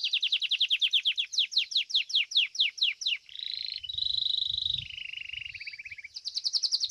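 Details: Domestic Belgian canary in a singing competition, fibra style: a series of sharp descending strokes, about four per second, followed by a steady rolled trill that steps down in pitch, then a high rapid trill, with a faint low rumble.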